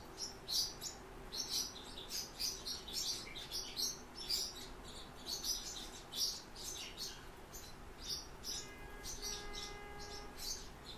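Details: Song Thrush nestlings beg as the father arrives with food, a fast, shrill chorus of high, thin chirps in bursts about every half second; a steady humming tone joins near the end.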